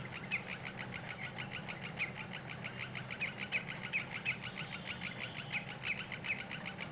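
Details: Male common greenshank displaying to its partner before mating, about an hour before sunset: clear, ringing notes repeated in quick pulses over a steady low hum from a sawmill some 50 meters away.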